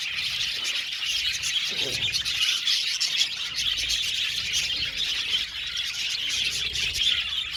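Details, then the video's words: Budgerigar colony in an aviary. Many birds chatter at once in a dense, unbroken wash of bright chirps, squeaks and warbles, with no pauses, loud throughout. "budgies chirping sound"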